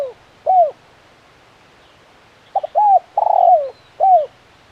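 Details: Spotted dove giving the clear 'kuk 1' call: a lone falling coo, a pause, then a full phrase of stuttered short notes, an arched coo, a long rough coo and a final drooping coo.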